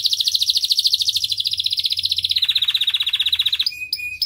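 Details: Canary song used to prompt young canaries to respond and sing: long rapid trills of repeated high notes, a fast rolling series dropping slightly in pitch midway, ending with a few sharp whistled chirps.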